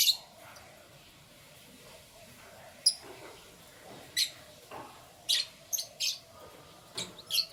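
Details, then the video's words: Canaries chirping in the morning: sharp, high tweets that come irregularly and grow more frequent toward the end, with a low indoor hum underneath. "Canary Chirping Sounds"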